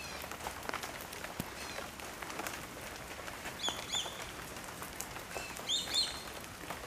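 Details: Many swallow-tailed kites in flight give thin, high whistled calls in two short bursts near the end, over soft hiss with patter-like ticks.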